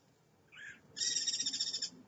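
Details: Guira cuckoo on a live camera in Brazil, 20 August 2011, mid-afternoon at 15:36 Brasília time: a short buzzy note, then a fast, harsh pulsed rattle lasting about a second, high and layered.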